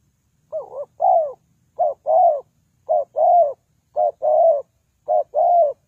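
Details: Spotted dove, used as a decoy for trapping, giving clean repeated coos about once a second. Each phrase has a short lead note and a longer arched note, mid-pitched and hollow, on a silent background.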